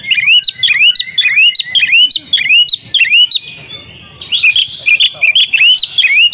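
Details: Female Oriental magpie-robin calling the male to make him sing; repeated upward-sweeping whistled notes about twice a second, a brief quiet gap with a soft hiss, then the rising series continues.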